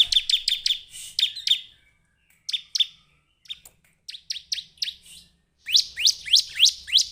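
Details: Bar-winged prinia (Perenjak Jawa, Ciblek) singing in short bursts of sharp, high chirps, each dropping in pitch, delivered rapidly in groups of four to eight with brief pauses between phrases.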